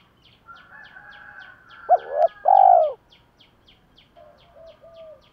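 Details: Spotted dove used as a decoy to rouse wild doves. One strong two-part coo comes mid-clip, a quick rising note then a long steady one. Softer wavering tones come before and after, over regular faint high chirping.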